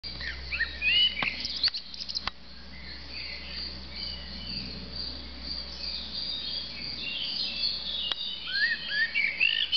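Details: Common blackbird singing from a rooftop in Argeș, Romania, June 2013: fluted, swooping phrases ending in high twitters open and close the stretch, over steady chirping from other small birds or insects.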